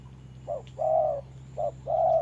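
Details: A trapper's decoy spotted dove fights a wild bird in rainy weather: two low paired coos, a brief note then a sustained mellow hoot, with quiet gaps between, over a low background hum.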